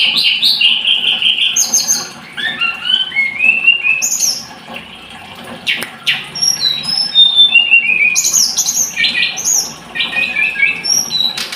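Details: Scarlet-headed flowerpecker giving a lively run of high whistled slurs and descending trills, broken by sharp clicks and short silent gaps, then resuming with bright chattering phrases.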